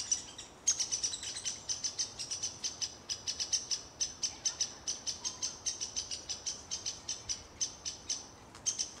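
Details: Downy woodpecker at Plymouth Township Park, Michigan, defending its territory and nest from a hairy woodpecker: sharp, high, clipped notes in a rapid steady series, about three or four a second, with no other notable sounds.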